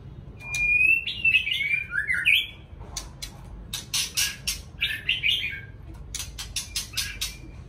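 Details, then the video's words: Morning song of a white-rumped shama: rich, rapidly modulated whistled phrases sliding up and down, a shorter whistled burst later, broken by repeated sharp clicking and rattling bursts between phrases. "Chòe lửa hót sáng nghe vẫn sướng"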